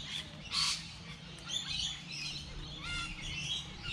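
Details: Birds chirping in light rain: a loud, sharp chirp opens, followed by scattered thin twitters and a brief rising whistle, irregularly spaced, with a faint steady hiss of rainfall underneath.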